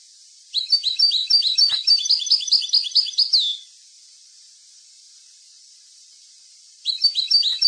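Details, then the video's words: Goldfinch song used to train young birds: a rapid stream of liquid, tinkling chirps lasting about three seconds and closing on a drawn-out descending note, then silence before a second burst of the same twitter begins. "chant maknin pour écolage jeune chardonneret"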